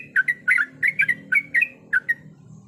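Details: Female yellow-vented bulbul in breeding condition calling to a male: paired liquid, bubbly notes, each pair dropping then rising, repeated about every half second over a faint low hum.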